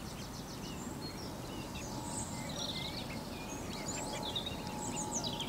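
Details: Several of 14 mallard ducklings, out with their mother exploring a garden in Marlow, Buckinghamshire, give high, thin peeping: short chirps overlapping several times a second, over a steady low rumble of wind or distant traffic.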